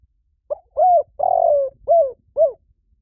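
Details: Spotted dove lure call: a short clipped note, one arching coo, a long burry rolling coo, then two separate downcurved coos, low and mellow against a silent background.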